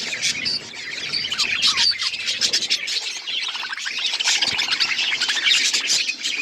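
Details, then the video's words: Budgie chatter during seed eating: rapid, squeaky chirps and warbling notes pile up without pause, briefly dipping near the start before rising again. "My beautiful budgies eating seeds birds chirping sound"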